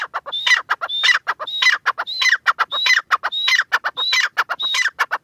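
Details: A grey francolin (Irani teetar) gives loud, harsh, ringing phrases, each with a high whistled note, repeated about every second and a half in an unbroken series, with people laughing nearby.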